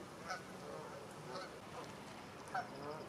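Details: Canada Geese grazing as a flock of over 100 in a stubble field, Wiltshire, UK, October 2019; three sharp honks spaced about a second apart amid low flock murmur.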